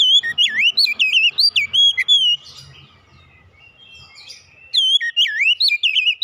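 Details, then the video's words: Oriental magpie-robin (kacer) delivering loud, rich whistled phrases with swooping, rising-and-falling notes and sharp chips for about two seconds, a quieter pause with faint twittering, then another burst of bright varied whistles. "kicauan ampuh mempercepat pemulihan Kacer macet bunyi langsung gacor"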